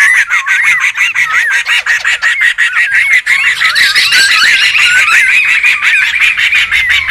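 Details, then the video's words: Wild laughingthrush chorus, noisy and busy, offered as a luring and tutoring sound: steady rapid ticking beneath repeated wavy whistled phrases, with a rising, hissy, bright layer of chatter building during the second half. "SUARA PIKAT DAN MASTERAN SEMUA BURUNG POKSAY RIBUT ALAM LIAR"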